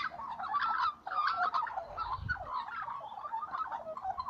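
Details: Morning singing of little magpies, a continuous jumble of mid-pitched warbled and chattering notes with a brief gap near the first second and a faint low rumble in the background.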